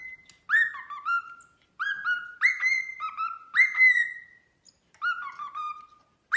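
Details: Pet cockatiel singing indoors: clear two-part whistles, each starting high and dropping to a lower held tone, repeated in a loose pattern with short pauses.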